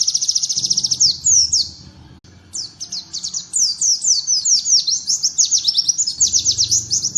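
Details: Prinia-imitating song of a white-eye, meant as a model for training birds: a fast high trill, a brief gap, then varied sweeping chirps building into another rapid trill.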